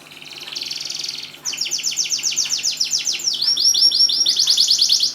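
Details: Canary in full song, meant to encourage non-singing canaries to sing: a soft buzzy roll builds, then rapid looping sweeps repeat in quick series, ending in bright high chattering tours.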